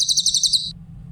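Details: Grey-headed canary-flycatcher singing a clear-voiced song used as a training recording for other songbirds: a short, very high, rapid trill of about eight even pulses lasting under a second, over a low steady hum.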